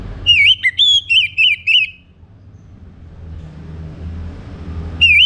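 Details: A morning song of the orange-headed thrush, intended to stimulate singing: rapid, looping whistled notes in a quick two-second phrase, a quiet gap with faint low hum, then the phrase begins again.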